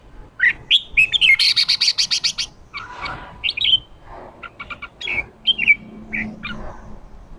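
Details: Male red-whiskered bulbul in top condition giving 'ché' competitive song to spur wild-caught birds: sharp rising whistles lead into a fast rattling burst of buzzy notes, then looser bouts of chirps and short slurred whistles.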